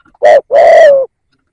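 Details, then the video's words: Single cooing phrase from a spotted dove used as a lure bird, a short low note then a longer smooth coo falling slightly at the end, with no other sounds. "Tiếng Cu Gáy / chim cu gáy kích bổi nhanh nổi"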